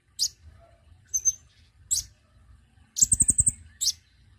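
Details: Konin calls played as a bird lure: isolated high squeaky chirps spaced about a second apart, then a short fast trill of six piping notes and a final chirp.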